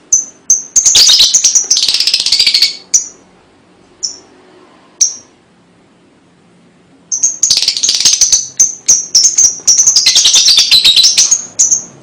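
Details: Lovebird song, clear recording meant to stimulate young birds: bursts of dense, harsh, high chattering with sharp chips, a three-second quiet stretch mid-way, then a long run of rapid scratchy twitters.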